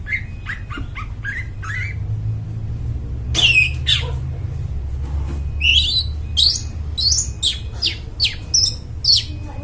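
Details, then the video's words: Long-tailed shrike in full song, used as a lure for wild birds in the forest: a varied run of harsh squawks, chattering notes and sharp high chips, with a steady low hum underneath. "cendet gacor, suara plong bening cocok buat pikat burung dihutan"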